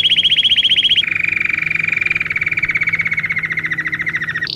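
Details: Belgian canary song used to teach canaries to sing: a fast, even trill of rapid repeated notes that drops to a lower, longer rolling trill after a second, then a brief higher note at the end.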